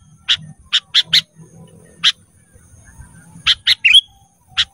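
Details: Sooty-headed bulbul training recording for cage birds: four quick sharp chips, a pause, then more chips with one bright whistled note, over a faint low background hum.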